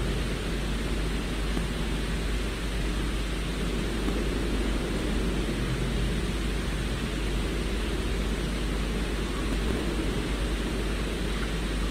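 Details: Steady broadband hiss with a low hum throughout, and no animal calls.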